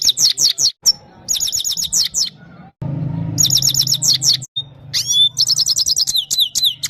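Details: Himalayan goldfinch (Carduelis carduelis caniceps) from Parachinar sings fast, bright twittering phrases of rapid tinkling notes, broken by brief pauses and a few thin whistles, over a faint low hum; the full song is presented as directed at a female.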